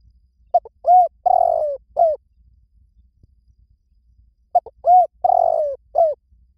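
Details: Spotted dove decoy call, used to lure wild doves. A phrase of a short note, a rounded coo, a long drawn falling coo and a final short coo, repeated twice about four seconds apart, with quiet gaps between.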